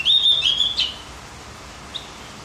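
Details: Javan grey-throated white-eye training song for stimulating other birds: one quick, high, thin warbled phrase lasting under a second, then a single faint chip after a pause, with soft background hiss.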